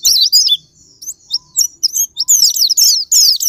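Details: Japanese white-eye lure for sparring: thin, sharp chirps and quick squeaky slurs, starting patchy with gaps, then building into a denser, faster high twitter by the end.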